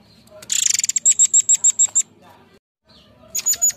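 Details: Forktail known as murai air, song played as a lure: a fast buzzy high rattle runs into seven evenly spaced piercing high whistled notes, then after a short silence a few more similar notes.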